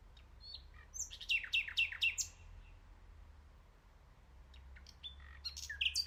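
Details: Common nightingale singing a short phrase of sharp, rapid, downslurred whistled notes after a hesitant start, then a pause and a few scattered high chirps; faint low rumble underneath.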